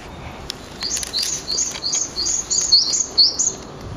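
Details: Japanese tit alarm calling from a bridge beside an ecological garden, April 18, two birds present: a loud, rapid chain of high, sharp chirping notes running for about three seconds over faint ambient noise.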